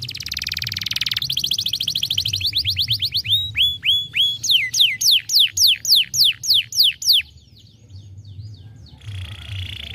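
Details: A young canary's stimulating song: a dense buzzing roll, then a quickening series of loud, clipped downslurred notes, each repeated several times a second. A softer, quieter passage and a faint trill follow.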